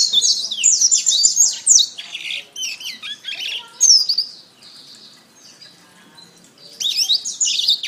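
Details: Canary masteran: dense bursts of high chirps and whistled sweeps for about four seconds, a quieter buzzy trill, a near-silent gap, then the varied song resumes.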